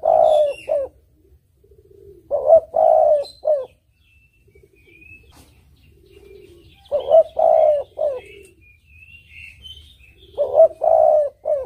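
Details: Repeated cooing song of a spotted dove for luring: three phrases of short and long deep coos with a clipped end note, roughly every four seconds, with scattered high twittering of other birds.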